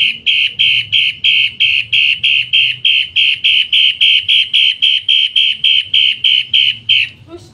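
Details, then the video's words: A captive Long-tailed shrike (cendet matahari), kept as a mimic-training songbird, gives a loud, harsh, buzzy note, repeated steadily about three times a second for seven seconds, with faint low background hum. "Burung Cendet Matahari, Masteran dengan Suara Kasar dan Keras"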